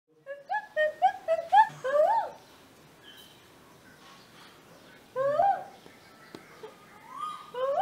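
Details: Male Asian koel at a home in Vidhya Nagar, Hassan, India, answering a woman imitating it, gives a fast run of rising two-part ko-el notes that quicken and climb, then a single call after a pause; room faintly audible.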